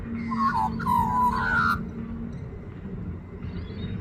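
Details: Young Australian magpie singing: a short burst of warbled, fluting notes with slurred rising and falling phrases lasting under two seconds, then quieter scattered notes over a steady low hum.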